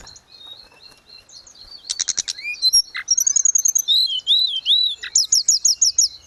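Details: Grey-cheeked bulbul singing strongly, used to coach caged birds: quieter start building into buzzy chip bursts, wavering whistled phrases and repeated arched high notes about three per second.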